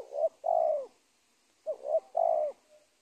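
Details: Spotted dove at the edge of a teak plantation, giving low, hollow coos in two phrases, each a brief lead note then a longer sustained coo, separated by a pause of nearly a second, with quiet surroundings.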